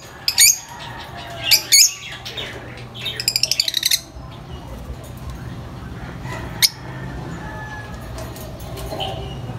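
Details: Lovebird giving loud high-pitched chirps and shrill squeaks, a short rapid rattled series in the middle, then quieter scattered calls over a steady low hum; a vocal, noisy bird.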